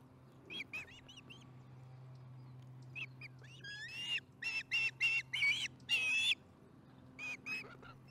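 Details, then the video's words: Osprey on the Charlo nest, July 15, 2019, about 4:30 pm MDT, chatting over dinner: soft chirps at first, then a quick burst of loud repeated whistled notes, fading again, over a low steady hum. "Charlotte chats through dinner"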